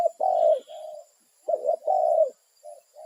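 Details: Wild spotted dove calling to companions in its territory: two phrases of low, hollow coos, each a short note followed by longer drawn-out ones, with a faint high background hiss.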